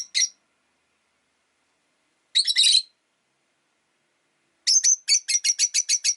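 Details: A pet rosy-faced lovebird, one of five caged by a window, gives shrill, harsh chirps: a lone note, a short burst, then a quick run of about ten sharp notes.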